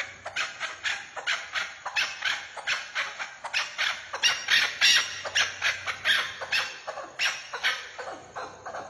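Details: Partridge calling in a rapid series of harsh, raspy bursts, about one and a half per second, varying in loudness, with a faint low hum underneath.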